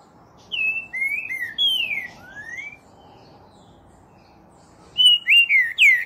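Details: Green-winged Saltator from Brazil singing loud whistled phrases of four or five slurred notes, some rising and some falling. After a pause of about two seconds, a second phrase starts with quick, emphatic whistles. The background is quiet.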